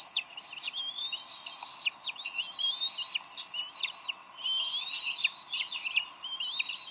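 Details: Nesting Bald eagles in Decorah, 30 May 2012, quarrelling over a delivered fish. Sharp high whistles stretch into drawn-out piping runs, with a quieter break around four seconds before the calling resumes.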